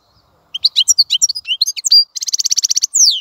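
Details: Brief European goldfinch phrase of varied liquid chirps and a short whistle, then a rapid buzzy trill ending in a descending rasp.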